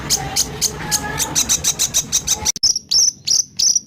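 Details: ["White-rumped shama in 'tembakan kasar' shooting style for training songbirds: steady series of short high buzzy notes, then a sudden switch to loud, ringing slurred whistles spaced irregularly."]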